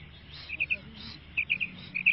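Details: Female quail calling, locally called maadi batair karkari: short bright chirping notes in tight groups of three, repeated at three points across the clip over faint low background noise.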